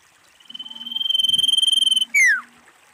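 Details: A wild female common iora calling: a steady pulsed trill held for about one and a half seconds, ending in a strong whistle that falls in pitch, with faint low background noise.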